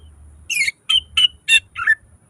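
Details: Greater green leafbird (cucak ijo) gacor song with mimicked isian phrases. Five short, loud, buzzy-whistled notes in quick succession over a faint low hum.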